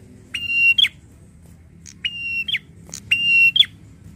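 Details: Agitated, angry prinia: three harsh, buzzy, level notes, each closing with an abrupt twisted flick, spaced about one and a half seconds apart over a quiet background.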